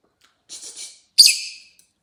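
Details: Chatty rosy-faced lovebird making a soft, scratchy high chatter followed by one loud, sharp, buzzy chirp that fades out.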